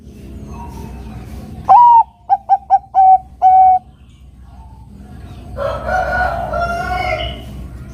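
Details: A Bangkok-strain zebra dove in full song, meant to prompt a rival to answer, utters an upswept first note, a rapid run of short coos and a sustained final note. A cockerel crows afterwards.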